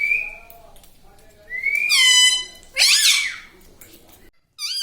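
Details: Indoor pet parrot: a drawn-out rising whistle, then a loud buzzy squeaky talking burst and a short squeal at the end, over low room noise.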